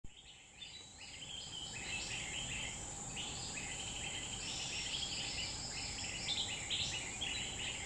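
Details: A wild grey-bellied bulbul (Pycnonotus cyaniventris) in Central Kalimantan forest gives busy, chattering runs of short bubbly notes, mid-to-high pitched and overlapping, over a steady high insect drone.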